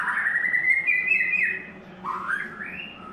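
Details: Long fluting whistled phrase from a white-rumped shama in its third molt, wavering gently high. After a brief pause comes a rising, then falling, whistle. A soft background hum is present.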